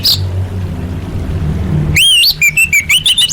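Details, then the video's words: Female orange-headed thrush calling males, used as a lure to get silent birds singing; after two seconds of low rumbling noise come quick whistled, upslurred notes, then a rapid run of short chirps and a rising final whistle. "Suara Anis Merah Betina Gacor Untuk Memancing Burung Macet Bunyi"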